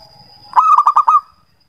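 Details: One zebra dove song phrase, played to coax quiet doves into singing: a soft lead-in followed by about five rapid, pulsed coo notes in a rolling burst, over a faint steady high tone.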